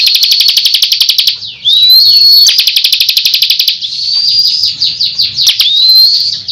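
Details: Bar-winged prinia singing a 'tembakan gacor ngunci' pattern: long runs of fast even chips about four per second alternating with loud upward-gliding whistles.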